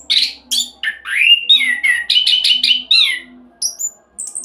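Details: Orange-headed thrush, ringed and caged in Salatiga, delivering a speedy roll song used to lure other birds to sing; rising and falling whistled notes, buzzy syllables and high chirps run in quick succession, ending with brief thin notes.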